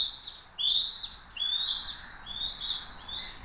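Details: Bald eagles of the Hays family flying in for dinner on June 22, 2023, giving high, thin chirping whistles in short repeated bursts with gaps of quiet between them.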